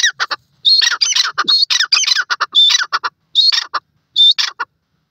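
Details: Dakhni teetar, or grey francolin, calling naturally. Loud grating squawks come in clustered phrases, with a shrill rising note opening several groups and then short pauses.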